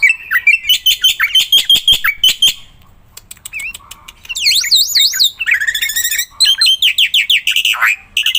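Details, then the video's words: Black-winged myna in energetic gacor singing meant to trigger song in quiet mynas: a rapid series of sharp repeated chirps, a short gap, then wavering warbles and a fast run of loud notes. "JALAK PUTIH GACOR"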